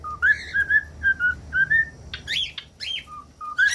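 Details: Brief cockatiel whistled song: a rapid series of short rising and level whistles, then a few sharper chirps, over a low constant hum.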